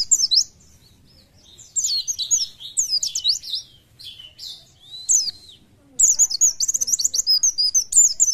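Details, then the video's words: Oriental white-eye sings bursts of very high, fast twittering with quick sweeping notes, separated by short pauses, ending in a dense run of chatter. "PLECI JOSS ..BUKPAR KEREN..FIT NGICAU LOSS"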